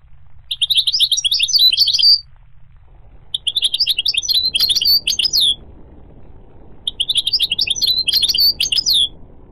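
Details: Goldfinch song in three phrases of rapid, high twittering with trills and sharp upward notes, separated by pauses, over a soft low background hiss.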